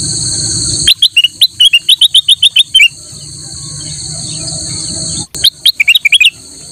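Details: Black-naped oriole singing strongly, used as a master song for training other birds: a rapid series of short, sharp whistled notes repeated about four per second, a pause, then another quick burst, over a steady high insect-like hiss.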